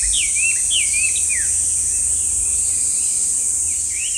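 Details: Chinese hwamei, commonly heard and rarely seen in parks, delivering quick looping whistled notes for a second and a half, followed by softer trailing phrases against a continuous high-pitched hiss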